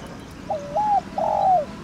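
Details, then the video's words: A thổ đồng type spotted dove gives one cooing phrase meant to lure caged birds into calling: a dipping note rising into a steady coo, then a longer, slightly falling coo, clear over a quiet background. "Cu gáy THỔ ĐỒNG GÁY GỌI kích bổi nhanh nổi hiệu quả"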